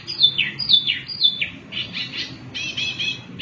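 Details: Wambi mini singing vigorously, used as a lure to get other birds singing; three loud downslurred whistles, then buzzier, repeated rasping notes around two per second, with a low hum beneath.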